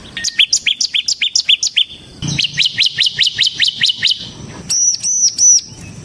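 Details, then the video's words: A semi-type bar-winged prinia gives ngebren song, a lure for kristal prinias and a tutor for others: a steady run of rapid chips, then a buzzier trill, ending with a few high arched whistles. "suara burung CIBLEK SEMI GACOR Ngebren Ampuh untuk Pancingan Ciblek Kristal dan Masteran Ciblek"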